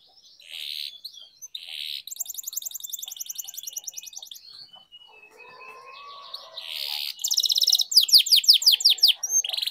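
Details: Canary song used to train and stimulate silent canaries, at moderate volume: a fast, even, high trill runs for two seconds, then a soft low murmur follows, then bright rapid descending notes and a short buzzy burst.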